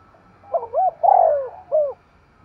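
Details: A spotted dove performs the energetic 'thúc gù' coo. Two quick hooked notes lead into a long, drawn-out throaty coo and a final short, falling note. A faint low hum sits underneath.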